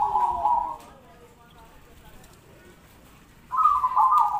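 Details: Zebra dove song for contests and daily listening: a loud, rolling trilled coo near one pitch opens the clip, a quiet gap follows, then a second purring trilled phrase, slightly higher, starts after three and a half seconds.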